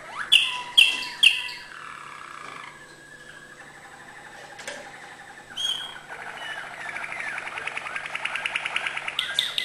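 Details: Malinois canary singing high notes: three loud sharp chirps at the start, then a soft rolling trill that swells into a fast, buzzy, pulsing roll toward the end, with a thin background hum.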